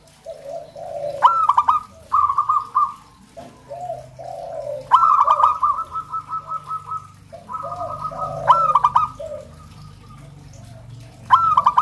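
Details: Local zebra dove song for stimulating kept zebra doves. Repeated phrases of quick staccato notes on one level pitch, each opened by an accented note, alternating with mellow lower gurgling coos and a faint low hum underneath.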